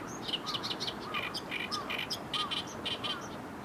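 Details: Oriental reed warblers at the waterside of the Arakawa River in downtown Tokyo, Japan, noisy day after day: harsh, chattering repeated notes with croaky lower syllables, several birds, background hum.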